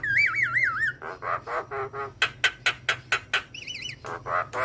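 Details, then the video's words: Energetic Javan myna song full of mimicked fill-ins, a training master for other mynas: a looping wavering whistle, a steady series of about ten sharp rasping notes, then another wavering whistle. "Jalak Kebo Gacor Full Isian Jalak Apapun Yang Dengar Wajib Ikut Bunyi"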